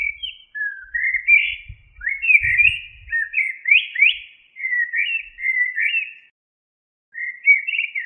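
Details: Common blackbird (Turdus merula) in a long, continuous run of rich, slurred whistles that rise and fall, followed by a short pause and another phrase; soft low thumps are heard early on.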